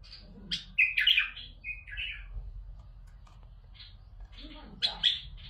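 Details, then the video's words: Singing bulbul meant to prompt other bulbuls into song: a quick run of chirpy, slurred notes, then scattered soft chips and a final loud warbled burst. "سمعة للبلابل وشوف تغريد للتخفيز البلابل"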